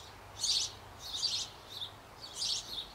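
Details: Bavarian birdhouse on an old apple tree where sparrows bred. The nestlings, close to leaving the nest, give harsh, hissing high chirps at feeding time. There are four bursts, roughly two-thirds of a second apart, over a faint low hum.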